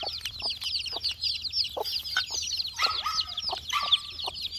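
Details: Young chicks, four days old, search for insects while peeping rapidly in high chirps. Sharp taps come throughout, and a couple of louder, drawn-out tones stand out partway through.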